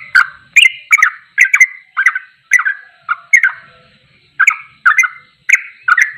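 A bulbul sings a fast run of bubbly, gurgling notes, about two each second, with a slight pause midway. No other sounds stand out.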